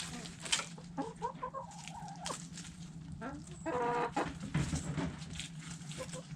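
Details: Backyard chickens, hens and roosters, feeding on food scraps; short clucks and a drawn-out harmonic squawk near the middle, over pecking and scratching noises and a steady low hum.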